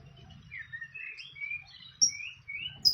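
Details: Wild fantail calling near its nest: short slurred whistles rise and fall in a loose series, with a few thin high-pitched notes and a faint low hum in the background.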